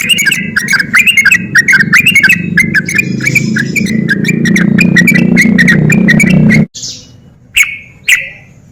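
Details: Rapid ropel song of a sooty-headed bulbul, played to goad lazy bulbuls into singing: a tumbling series of short whistles for several seconds, then quiet broken by two isolated sharp notes.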